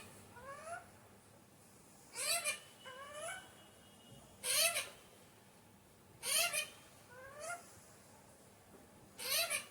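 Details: Pet Alexandrine parakeet, called naughty, giving short harmonic rising-then-falling calls in bursts about every two seconds, some faint, others louder, with quiet room hiss between.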